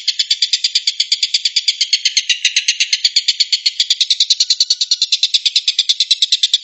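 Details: Stork-billed kingfisher giving its distinctive 'tembakan' shooting call, prized by contest judges and used to train White-rumped shama. A continuous harsh, dry rattle of fast, evenly spaced pulses runs steadily for several seconds over a clean background.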